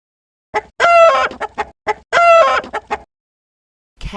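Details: Rooster crowing twice, each a loud drawn-out cock-a-doodle-doo with a strained, harmonic-rich middle note and short broken syllables, separated by a brief gap; a soft thump at the end.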